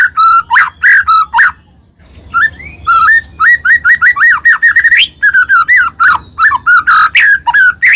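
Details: Energetic song of a white-rumped shama used as a lure for other shamas: a long run of strong, mid-pitched whistled notes with sharp high accents, broken by one brief pause.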